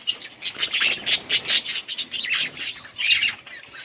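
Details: Budgerigars in winter rain: dense overlapping chattering and squawky chirps from several birds, a busy, continuous burst of harsh high notes rising and falling in quick pulses.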